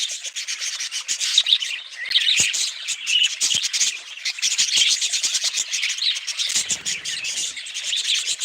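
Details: Dense budgerigar chatter of rapid chirps and scratchy warbles, interrupted by several sharp clicks and taps and a brief low rumbling scrape near the end.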